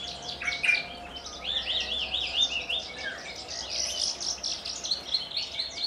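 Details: Captive Javan bush lark of Kulon Progo stock delivering Jambul-style song. Wavering, warbled phrases rise and fall in quick loops, followed by a run of bright, high, slurred whistles.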